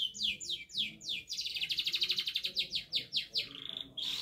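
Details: Canary singing hard while learning to shake its head: quick descending notes merge into a fast, even trill of pulsed syllables, then a sharp high final burst.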